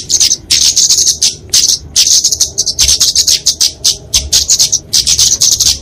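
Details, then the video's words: Flowerpecker fighting song, kemade of genus Dicaeum, for training and luring small birds: high, thin buzzy phrases repeated in short bursts separated by brief silences, chattering and fast. "Kicauan Kemade Tarung Untuk Masteran&Pikatan Burung Kecil!"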